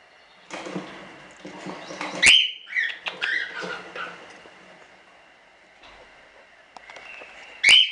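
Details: Standard cockatiels in a small hobby breeding collection of show birds; scratchy rising calls and chatter mixed with rustling and wing sounds, then a quiet pause and a final sharp screech.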